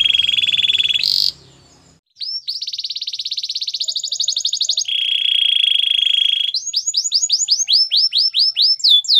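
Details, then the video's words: Canary singing a training song for canaries. A steady high buzzing tour is followed by a fast pulsed trill, then a flat held rolling note, ending in a series of loud downward-sweeping whistled syllables. "The most spectacular canary song!!"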